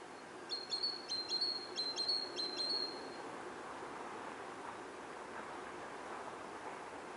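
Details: Great tit in autumn giving a short burst of high, ringing two-note phrases repeated four or five times, then falling silent, leaving steady background noise for several seconds.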